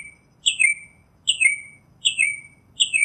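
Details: Northern mockingbird delivering four slurred, descending two-part notes, evenly repeated about every 0.8 seconds.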